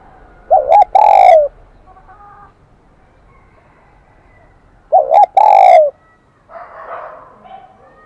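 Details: Wild-caught spotted dove with the high 'kim đồng' (brass bell) voice, giving two cooing phrases about four seconds apart. Each phrase is a quick wavering double note followed by a drawn-out ringing coo, with faint indistinct sounds after the second phrase.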